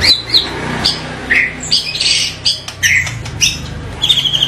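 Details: Short scratchy and whistled white-rumped shama phrases spaced irregularly, some harsh and buzzy, with a noticeable low humming background.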